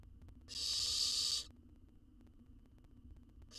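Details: Owl chick in a wild nest box monitored for research, eating a jird whole; one strong, rough hissing screech near the start, then quiet, with a second hiss just beginning at the end.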